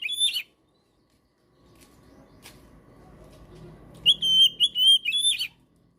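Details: Oriental magpie-robin (kacer) gacor song for birds that have stopped singing: a short whistle at the start, a soft rustling lull, then a lively run of sharp high whistles and twitters.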